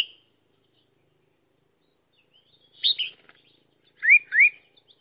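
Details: Decoy red-whiskered bulbul for trapping: after a pause, a doubled chirp then two rising slurred whistles in quick succession.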